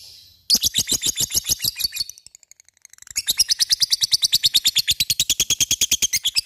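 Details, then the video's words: Lovebird in full ngekek chatter, the local style of long rapid calling: a burst of fast sharp buzzy notes, a short pause near two seconds, then a steady rattling run of about three notes a second continuing to the end. "LOVEBIRD cik cik cerrr,suara brung labet ngetik ngekek gacor"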